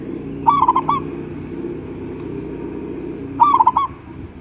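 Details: Local zebra dove used as a lure to prompt replies from other doves: two clear phrases of rapid stuttering coos with a drawn-out final note, about three seconds apart, over a quiet low hum.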